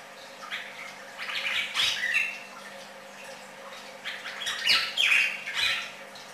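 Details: Red-crested cardinal song in bursts of harsh, chirpy, slurred notes, some squawk-like, with two main clusters of phrases separated by quieter gaps and faint background hiss.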